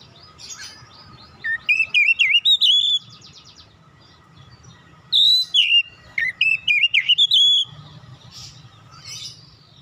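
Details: Kacer (oriental magpie-robin), a raw 'bahan' bird lured into full 'gacor' song: two bursts of fast, varied whistled and warbling phrases with rising and falling notes, separated by quiet gaps, over a faint steady hum and low rumble.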